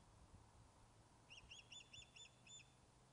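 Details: Osprey Blue44 fish-calling on the nest at Loch of Lowes, Scotland, recorded by webcam after returning from being lost: one brief run of about six clipped, high chirping whistles against low humming noise.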